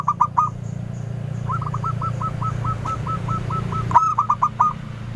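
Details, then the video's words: Local zebra dove used as a lure bird. Three quick coos come first, then a long, steady series of about twelve spaced, slightly rising coos, then a loud rapid burst, over a low background rumble. "Perkutut lokal Gacor, | pikat Suara BENING , bikin sahutan ramai."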